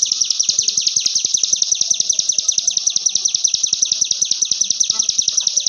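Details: Javan whistling thrush singing, recorded for training other songbirds: a continuous, very fast and regular stream of high, piercing repeated notes, about two or three per second, with no pause.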